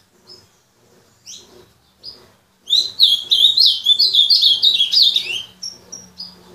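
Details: A few thin, isolated high chips from the azulão lead into a loud, rapid, tumbling warble of bright slurred notes lasting about three seconds. Short whistled notes trail off at the end.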